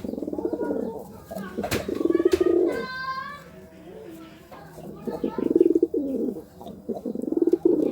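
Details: Courting pigeon repeatedly cooing in low, throbbing rolls, several phrases across the recording, with a sharp thump and a short higher harmonic call from another bird mid-way.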